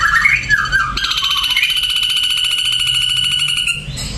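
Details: An Ashy drongo sings a few descending slurred whistles, then a loud, rapid buzzy rattle held on one pitch for nearly three seconds.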